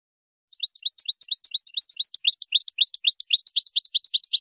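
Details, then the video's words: A European goldfinch sings a fast, liquid run of tinkling, twittering notes, about six per second, bright and high-pitched, with nothing else audible. "Le chant de chardonneret royal"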